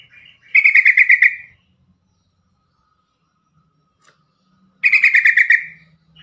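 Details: Loud, clean yellow-vented bulbul call used to make other bulbuls and stressed or silent captive birds respond: two harsh, machine-gun chatters of about ten quick pulses each, separated by three seconds of near silence.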